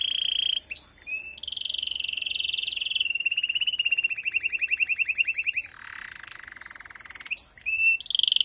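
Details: Female canary's call meant to stimulate the male once moulting ends: sweeping whistles, long rapid rattling trills and a drawn-out lower buzzy note, ending in more looping whistles.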